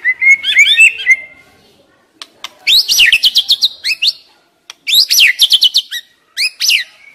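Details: A young wild white-rumped shama, called stressed, sings a soft warbled opening, then loud phrases of sharp, rapidly repeated rising notes, pausing briefly between bursts. Its singing serves to coax reluctant shamas to sing.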